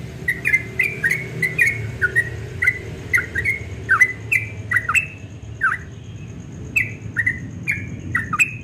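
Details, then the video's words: Melodious dawn ropel song of a Yellow-vented bulbul: lively slurred whistles, some dropping steeply, delivered in bursts with a short pause near the middle, over a background hum and a faint steady high tone. "Trucukan Ropel Subuh suaranya merdu sekali"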